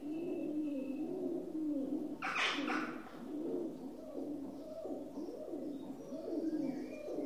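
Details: Low murmuring coos of a rock dove run on continuously under a noisy background, broken around the two-second mark by a short burst of broadband noise, with faint higher bird calls here and there.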